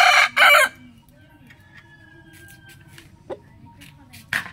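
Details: Rooster in the morning giving a short, loud, broken crow at the start, two harsh bursts, then near silence with faint distant clicks and a brief sharp note near the end.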